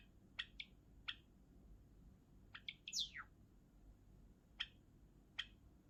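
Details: Spaced, bell-like clicks from a Java sparrow, with one high whistle sweeping sharply down in the middle, in a quiet room.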